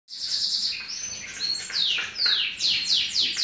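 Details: Canary in a breeding room during the 2017 season, singing a bright, high continuous song: a steady rolling trill, then clear whistled notes and repeated fast down-sweeping slurs, with a faint background hiss throughout.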